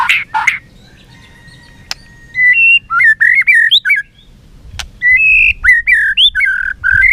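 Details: Competitive singing by a white-rumped shama that flicks its tail: two harsh squawks, then phrases of clear, slurred whistles rising and falling, repeated in quick sequences with a short gap between them.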